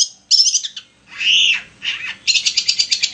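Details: Long-tailed shrike singing, played as a lure to provoke another shrike to sing: a short run of buzzy high notes, a harsh drawn-out downslurred rasp, a brief scratchy note, then a fast series of about eight sharp repeated clicks.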